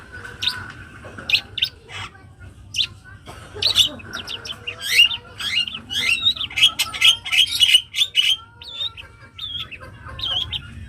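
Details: Young long-tailed shrike in full song: a busy stream of harsh chirps, then rising and falling whistled slurs and fast twittering phrases, loud and continuous.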